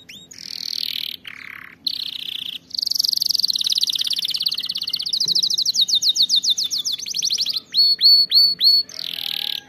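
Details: Canary song used to train canaries to sing, a long varied run of rapid high trills, buzzy rolls and sweeping whistled notes that change phrase every second or two.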